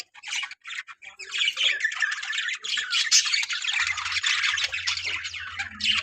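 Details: Squawking, warbling chatter from a colony of breeding budgerigars builds after a few stuttered opening calls and runs steadily on, with a low hum in the background during the second half.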